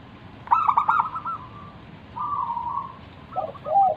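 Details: Local zebra dove singing manggung to coax others to respond: stuttered opening notes, a level trilled coo, then lower fluttering notes close the phrase.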